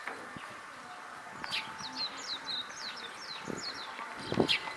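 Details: Eurasian tree sparrows in Hakodate Park, Japan, among cherry trees in full bloom on 28 April 2022, give a running series of short, high chirps, several per second, over steady park background noise and a faint hum.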